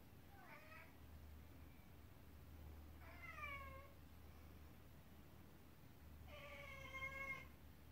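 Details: A pet African grey parrot talking to a cat indoors gives three drawn-out, harmonic meow-like calls, falling slightly at the end, spaced about three seconds apart, over a steady low hum.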